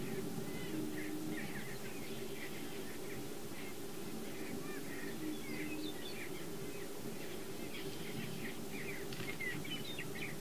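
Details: Greater prairie chickens jousting and booming to attract the female: a steady low hollow hum of booming runs throughout, overlaid by scattered higher cackles and whooping calls from several birds.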